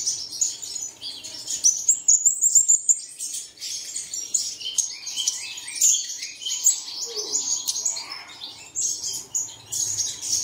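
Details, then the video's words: Bird song played in the early morning to get caged birds singing: dense high, thin twittering and chirps running throughout, with a few brief sharper trills standing out near the start and a faint lower murmur midway. "Bật Tiếng Chim Này Lên Vào Sáng Sớm Chim Của Bạn Sẽ Hót Ngay"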